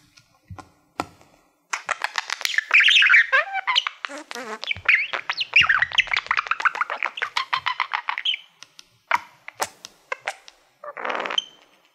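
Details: Caged male budgerigar singing at a shiny silver plaque it treats as a mirror, giving a long rapid chatter of clicks and scratchy warbled notes, briefly pausing, then bursts of ticks and a final harsh squawk.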